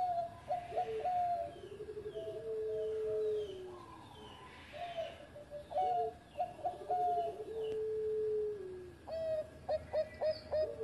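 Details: Zebra dove of the Bangkok type singing steadily, recorded as a master for training other doves: short stuttering coo notes followed by long, smooth, falling low coos, the phrase repeated twice, ending in quick bright chirped notes, with faint background hiss.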